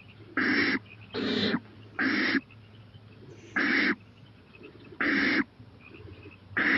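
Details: Owl at night on a porch at 11:26 pm, 23 April 2018, growing more daring and eyeing a playground; six harsh, breathy hisses, each under half a second, spaced about a second apart over a low steady hum.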